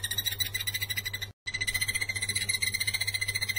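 A Blue-eared barbet gives a steady run of short, high, even notes, about three or four a second. A low electrical hum runs underneath.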